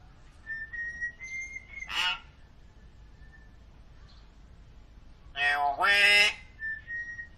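Hill myna giving thin, clear whistles broken by a harsh, rasping shriek. Later comes a louder, nasal, honking burst, then a final short whistle.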